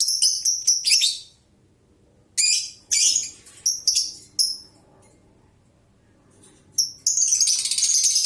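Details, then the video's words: Lovebird giving a laughing chatter: loud bursts of high, harsh, jangling notes in quick runs, with pauses between bursts and a long rasping burst at the end, over faint low background hum. "LOVEBIRD NGEKEK NGGANCIR"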